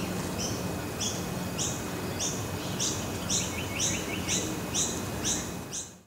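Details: Scaly-breasted lorikeet giving short, sharp, high chirping notes repeated about twice a second in a steady series, over loud constant broadband background noise with a faint low hum.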